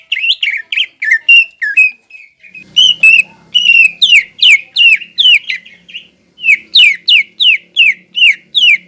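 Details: Greater green leafbird song meant to provoke rival leafbirds into high arousal. Fast, varied whistled phrases lead into rapid strings of sharp down-slurred notes, about three each second, with a faint low hum behind them.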